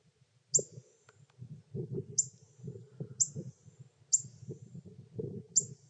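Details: Pyrrhuloxia chicks in Terlingua, Texas, beg as their father, a trusting male fed by hand, brings food: five crisp high chips at uneven one-second gaps over a continuous low rumbling background.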